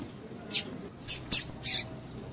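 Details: Four crisp, high-pitched chips from a female double-collared seedeater, a call meant to excite males, evenly spaced about every third of a second against a soft hiss.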